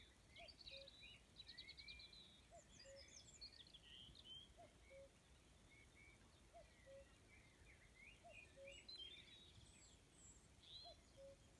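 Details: Evening cuckoo song at Rumburgh in Suffolk, England: six steady, soft, falling two-note calls spaced about two seconds apart beneath a busy chorus of high twittering and whistling songbirds.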